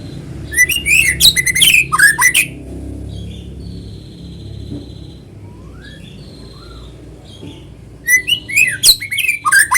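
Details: White-rumped shama song used as a lure to draw other shamas into singing: bursts of loud, varied whistles and sharp chirps sweeping between mid and high pitch, a quieter pause with faint whistles, then another rich burst.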